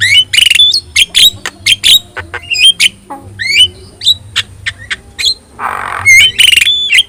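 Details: Vocal yellow-eyed Javan myna giving a master song to train other birds: dense runs of sharp whistles and clicks, with a rough burst near the end before bright notes return.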